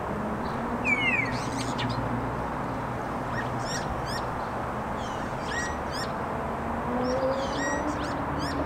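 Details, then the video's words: Three common starlings singing as a trio: scattered high clicks, a sharp descending whistle and brief chattering notes over a constant low rumble of background noise. "Скворцы музыкальное трио"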